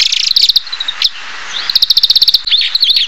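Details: Oriental greenfinch song: quick stuttering trill, a pause with a short upslurred note, another fast even trill of clipped notes, then buzzy twittered phrases, with faint hiss behind.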